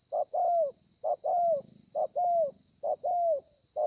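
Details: Spotted dove performing thổ pha coos on 30 November 2020, a regular short-long pattern, each long coo sweeping down at its close, about four phrases in under four seconds, with soft background hiss.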